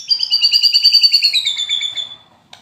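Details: White-rumped shama during moult, performing 'kretekan' fighter song: a high, rapid, crackling trill of evenly repeated notes that gradually drops in pitch and fades, ending with a single faint click.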